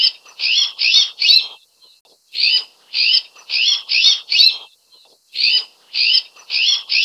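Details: Azure-winged magpie (Cyanopica cyanus), introduced in Taiwan, giving harsh, rasping high notes in quick runs of four or five with brief pauses between runs; nothing else heard.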